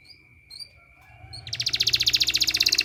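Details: Canary therapy sound for training canaries: quiet scattered chirps and a steady high tone, then a loud, fast, rattling trill of evenly repeated notes begins halfway through.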